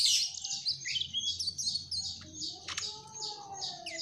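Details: Mugimaki flycatcher in full voice: loud, continuous high twittering made of short buzzy phrases repeated in quick succession, with one sharp click midway and a faint low hum.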